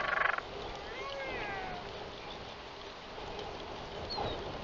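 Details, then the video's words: Toroa (royal albatross) arriving back at Taiaroa Head, 7:26 PM on 11 October 2021: a short loud burst opens, followed by a wavering harmonic moan with a falling tail over faint wind. "Royal Albatross~Arrival and great sky calls!"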